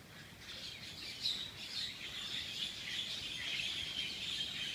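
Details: Several birds give rapid, high, thin chirps and twitters in an overlapping outdoor chorus that grows slightly louder toward the end.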